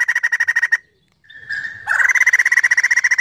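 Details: White-crested laughingthrush song meant to set other birds singing: a fast pulsed trill breaks off, a short silence, a brief whistle, then a second loud, rapid, regularly pulsed trill.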